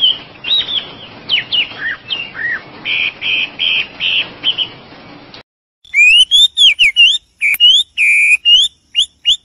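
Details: Oriental magpie-robin (wambi) song in two takes: first a series of whistled slurs and steady buzzy-edged notes, then after a brief silence a cleaner run of sharp, ringing whistled notes with rapid up and down slides.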